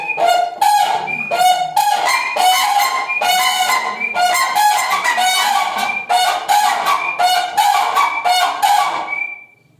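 A crane gives loud, brassy trumpeting honks in quick overlapping bursts, several calls a second for about ten seconds, with no other clear sounds.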